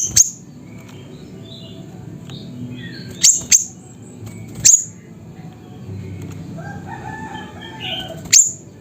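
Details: Siri-siri bird recorded in Mutiara, Pidie, Aceh: piercing high single and paired chirps scattered over nine seconds, amid faint twittering of other birds and a low, steady hum.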